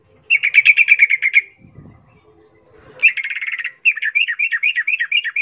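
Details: ['Yellow-vented bulbul call meant to set other bulbuls answering: a fast buzzy series of notes, a brief low rumble, then another rattling burst running into a longer, more varied chain of rising and falling notes.']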